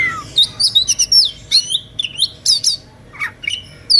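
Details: Oriental magpie-robin (kacer) giving an emotional playing song that provokes listening rivals to join in; rapid run of loud, varied whistles and squeaky slurred notes, some sweeping up and down, delivered in quick bursts.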